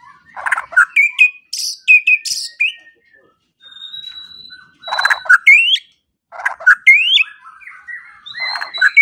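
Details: White-rumped shama training song for morning and evening, meant to get quiet birds singing: sharp upward-slurred whistles mixed with clicky, rattling bursts, heard in three bouts split by brief silences.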